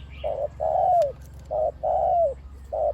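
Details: Spotted dove kept as a big-voiced decoy bird, used for trapping on the ground, on branches and at pens, cooing in the 'khu ang' style: low, hollow coo notes in pairs, the longer ones sliding downward at the end, about two seconds apart.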